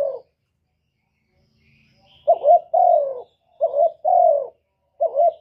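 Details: After a quiet gap, a spotted dove of the kuk 1 style, used as a decoy for other doves, gives two full phrases and begins a third. Each has a short stuttered coo and then a longer, smooth, slightly falling coo.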